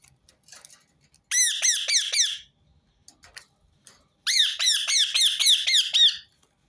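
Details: Rose-ringed parakeet in two bursts of rapid harsh screeches, about seven or eight grating, down-curving notes per burst, separated by a second and a half of quiet, repeated to set other birds singing.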